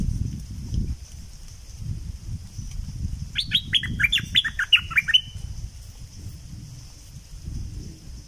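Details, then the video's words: Bulbul from southern Thailand singing in the 'sai ble' style: a quick run of about eight sharp, downslurred whistled notes bunched together, set against a steady high-pitched hum and low rumbling background noise. "เสียงนกดอกแตงภาคใต้ สายเบิ้ล!!!Burung merbah lekir gacor bahanan"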